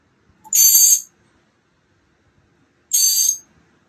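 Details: Two loud, scratchy hissing bursts from mockingbird nestlings almost ready to fly, recorded 28 March 2022 on day 15 of a nest project, spaced about two seconds apart, with near silence around them.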